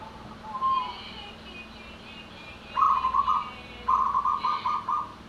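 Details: Local perkutut, a zebra dove, in anggungan song: a faint short coo, then two loud bursts of quick, bubbling, staccato cooing about a second apart, each phrase broken into rapid beats.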